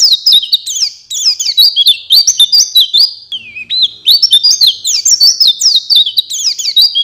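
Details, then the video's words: Oriental white-eye master song for training songbirds: loud, continuous high twittering with rapid sliding whistles in quick bursts and a brief lull midway. "Masteran Pleci | Kicau Juara Paling Dicari"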